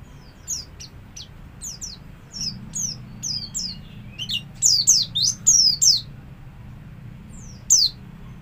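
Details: Captive Javan white-eye singing in the ngalas style, a lure recording meant to prompt other white-eyes to learn it: high, sharply downslurred whistled notes in an irregular series, bunching into a rapid run midway, over a faint low hum.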